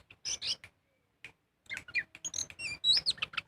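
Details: Oriental magpie-robin song played as a singing lure in ngobra style: a short burst of notes, a near-silent gap, then a lively run of quick whistles, ticks and high slurred notes.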